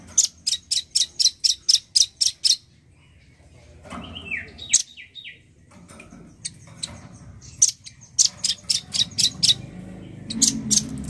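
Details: Male nuthatch singing actively opens with a fast, even string of about ten sharp high chips, then pauses while lower descending whistles sound, before more rapid chipping returns over soft room noise.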